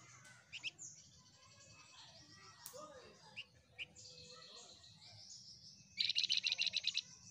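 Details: Flamboyan among a group of birds singing together. A fast, high, rattling trill of about ten pulses closes the passage. Before it, scattered faint chirps and thin whistles from other birds sit over a steady low background hum.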